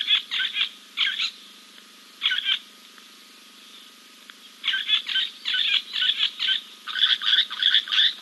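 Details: Giant kingfisher preening after a dip at King's Camp on 2 April 2024 gives loud, harsh, grating notes in quick bursts of three to five, with short pauses between runs; no other sounds stand out.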